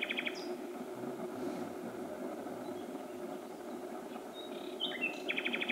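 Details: Nighttime song of a common nightingale at Myttäälä, Pälkäne, Finland, in June 2016: a rapid rattling trill opens, a quiet pause follows, then varied chirps and a fresh repeated trill, with constant low background rumble.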